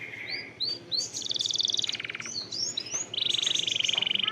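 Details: Canary song used as lure audio to trigger other canaries into singing, with long rolls: rising whistled notes, then a dense fast buzzy trill, a pause of short chirps, and another long even rapid trill to the end.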